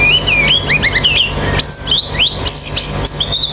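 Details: White-eye singing sweet, slurred whistled notes that rise and fall, some lower, others jumping high, in quick succession, used to encourage fast, open-beaked song; a low hum is present.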